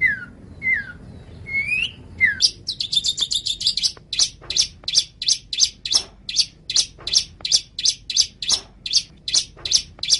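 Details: Long-tailed shrike song used as a master recording for training other songbirds: a few clear, downward-slurred whistles, then a long run of sharp, buzzy chattering notes repeated about three times a second.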